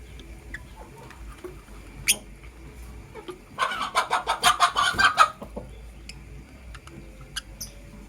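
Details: Lovebirds, a blue opaline and a green personata, in the morning; a rapid burst of harsh, buzzy chattering chirps lasting under two seconds, flanked by a few isolated sharp squeaks in a quiet room.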